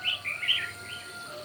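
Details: Red-whiskered bulbul at a morning singing contest: a quick run of three or four liquid whistled notes, rising then dropping, followed by a softer trailing note.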